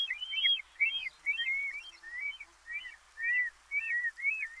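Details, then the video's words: A black stork gives a run of about eight high, thin, arched whistles, each rising then falling, one every half second or so, with no other sounds. "Черный аист, голос"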